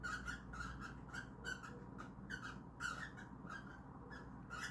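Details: Cockatiels kept as pets, trying to mate indoors, repeat clipped squeaky chirps in uneven bursts roughly twice a second, each with a bright tonal core and raspy overtone, against soft background hum.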